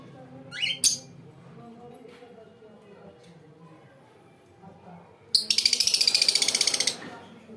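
Lovebird giving a sharp rising chirp, then a fast buzzy rattle of about fifteen shrill notes over two seconds; faint indoor background murmur.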